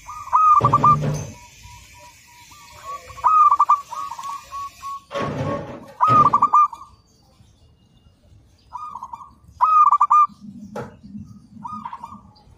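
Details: Local zebra dove, a frequent singer, on a training master: repeated bubbling, trilled cooing phrases separated by pauses, broken by loud thumps and clatter, with a low hum near the end.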